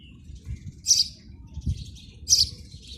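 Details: House sparrow at a PVC pipe nest giving two bright, high chirps about a second and a half apart, with low rumbling and faint thuds beneath.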